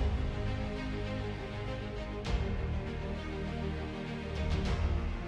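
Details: Dramatic soundtrack music with deep sustained tones and a few percussive hits plays throughout, with no animal sounds.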